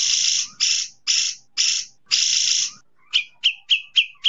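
Five harsh, hissing bursts about half a second apart, then a quick run of five sharp, ringing whistled notes, each rising and dropping.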